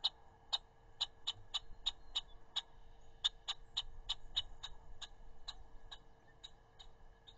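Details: Red-winged blackbird mobbing a larger bird on 31 May 2021: sharp, dry check notes repeated about three times a second at an uneven pace, with a faint steady hum underneath.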